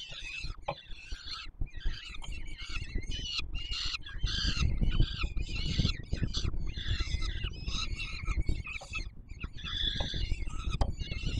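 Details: Peregrine falcon chicks at the Palace of Culture and Science, Warsaw, Poland, begging as a parent feeds them on 7 July 2022. Jerky, squealing cries tumble out in quick succession, set against a heavy low rumble.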